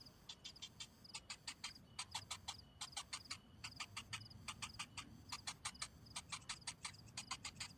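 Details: Begging cinnamon bittern nestling, already hungry while the parent arrives without food, repeating crisp ticking notes in fast clustered runs of three to six, brief pauses between runs, faint low hum behind.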